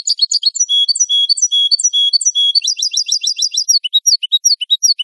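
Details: Clean European goldfinch song made for training captive birds: a lively mix of high tinkling twitters, drawn-out level notes and rapid rippling runs, continuous and bright with no other sounds.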